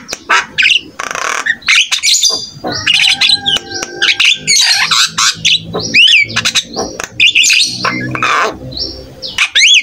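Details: Ten seconds of busy jalak kebo (buffalo starling) song meant to coax silent starlings into singing: dense run of harsh chatter, buzzy rasps, steady held tones and repeated curling whistles, almost without pause.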